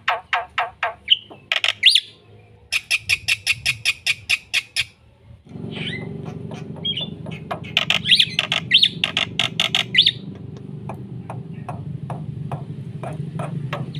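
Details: Black-winged myna singing a lively, full song meant to stimulate other birds: rapid runs of sharp repeated squawks and brief whistled notes, then a pause before louder harsh bursts return over rising background hiss and low hum.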